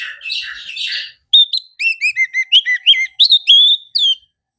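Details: Lively orange-headed thrush song: scratchy, hissing chatter gives way to a rapid sequence of bright whistled notes, rising and falling slurs delivered about three per second, ending abruptly.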